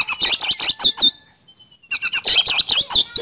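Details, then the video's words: Kacer, or Oriental magpie-robin, in full 'gacor nembak speed roll' song: dense bursts of rapid high warbling and trilled chirps, broken by a one-second pause with a faint thin whistle before the quick burst resumes. "Kacer Gacor Nembak Speed Roll"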